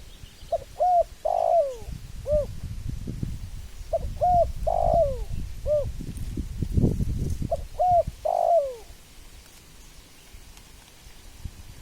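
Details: Spotted dove cooing three times, each phrase a couple of short soft coos, a longer drawn-out falling coo, then one closing note, spaced about three to four seconds apart over low rumbling background noise.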